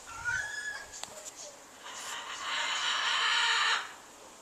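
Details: Big caged bird on a back porch, January 4, 2014, crying nonstop for minutes: a short squawk, then a loud, harsh, sustained screech lasting nearly two seconds that cuts off abruptly.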